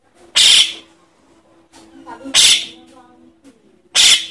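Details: Javan myna chick begging to lure adults: three loud, hoarse, hissing screeches, roughly every one and a half to two seconds, with faint softer sounds between.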